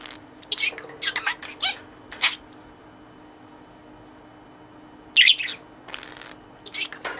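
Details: Budgerigar kept in a cage, playing with its toy and talking to it: a quick run of clicky, squeaky chatter notes, then a pause, then more high twittering bursts.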